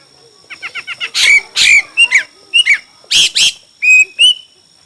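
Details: Chinese hwamei singing in a song contest: a fast series of short chirps leading into loud harsh bursts and clear level whistles, phrases varied and closely spaced.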